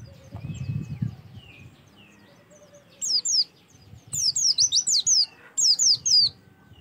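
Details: Oriental white-eye song used to get birds singing: low background rumble and faint notes at first, then bursts of high, quick, down-slurred whistles.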